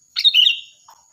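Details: A single loud sooty-headed bulbul phrase, a quick liquid, gurgling run of notes, followed by a soft low chirp. The song is meant for training other songbirds, and a thin high whine runs underneath.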